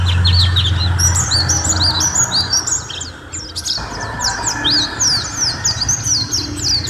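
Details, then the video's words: A white-eye (pleci) sings a fast, chattering run of high, thin chirps and twitters, several notes each second, over a low steady hum; a long recording made as a training song for other birds. "Suara Masteran Burung: Pleci Gacor"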